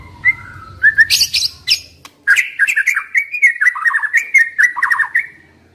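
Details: White-rumped shama, a young wild forest bird, singing a rich varied phrase: rising whistles, then a long run of rapid slurred warbled notes around mid pitch with sharp high chips, loud and steady.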